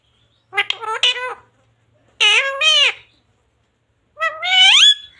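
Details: Talking pet parrot imitating Hindi household words like "mummy" and "papa", three shrill voice-like phrases with bending, rising tones spaced over several seconds in a quiet room.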